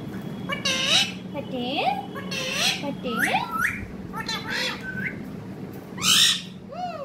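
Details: Busy run of parrot chatter, many brief arching and upswept syllables in quick succession, broken by a loud raspy burst near the end; a steady low hum runs throughout.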